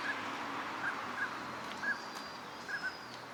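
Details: Northern pintail wintering on a park pond at Junsai-ike green area, Chiba, Japan, in December gives about six short, soft mid-pitched whistled notes at an uneven pace over a steady outdoor hiss.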